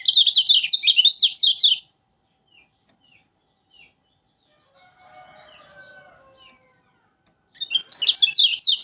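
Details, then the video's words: Kecial kuning from Lombok in song, meant to coax other birds into singing: a rapid burst of high zigzag chirps, then sparse soft single notes and a faint low chatter, then a second quick high burst. "Burung Kecial Kuning Lombok Rajin Bunyi Cocok Untuk Pancingan Kecial Omyokan"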